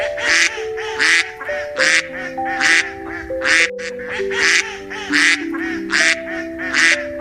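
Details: Duck quacking steadily, with about eleven harsh, nasal quacks spaced well under a second apart, set against soft musical tones playing underneath.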